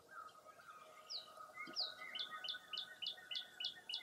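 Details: Wild birds on a foggy early April morning at Mirror Lake State Park, Baraboo, Wisconsin: a fast series of sharp, high, down-slurred chirps, about three a second, over softer warbling from other birds.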